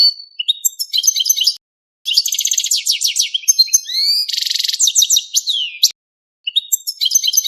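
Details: European goldfinch in mating song, singing nonstop: quick twittering phrases of high buzzy trills, rising slurred whistles and tinkling notes, broken by short pauses, with a clean quiet background.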